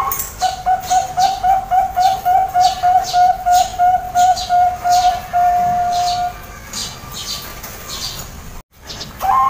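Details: Zebra dove singing to lure other zebra doves: a steady, rhythmic run of mid-pitched cooing notes repeated about three times a second for six seconds, then a brief break and a fresh start, with soft clicking accents above.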